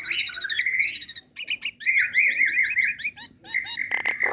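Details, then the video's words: Female Nias hill myna calling to a male, a relaxed call suited to luring and prompting birds: rapid harmonic chatter, then a long rising whistle, a wavy warbling phrase and sharp clicks near the end. "JALAK NIAS BETINA MEMANGGIL JANTAN"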